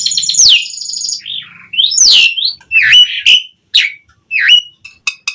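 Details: Varied gacor song from an Asian pied starling used as a lure: a buzzy descending note, then looping whistles, harsh rasps and short clipped chirps, growing sparser toward the end.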